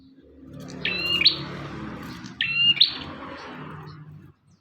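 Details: Bar-winged prinia song intended as a master recording: two bright, sharp phrases about one and a half seconds apart, partly masked by steady low rumbling noise.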